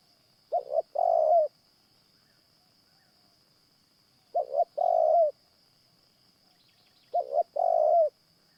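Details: Morning trapping session with a caged decoy dove: a Spotted Dove coos three times at intervals of about three seconds, each phrase a doubled short note and a longer falling coo, against a steady thin whine.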